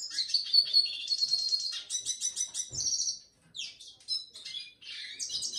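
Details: Red siskin (Spinus cucullatus), song.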